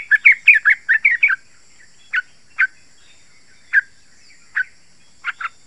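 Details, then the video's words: Yellow-vented bulbul song used to lure and stimulate other bulbuls: an opening burst of rapid chattering notes, then single or paired liquid chirps spaced about a second apart. "Trucukan Gacor Rapat Suara Tajam ini 100% BERHASIL | Ampuh Untuk Pancingan trucukan agar bunyi GACOR"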